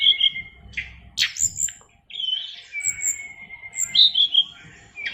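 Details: Caged oriental magpie-robin, fighter type, produces long pure whistles, some held steadily and others sliding. These are broken by a sharp rasping burst and high thin notes, in a fairly clean recording.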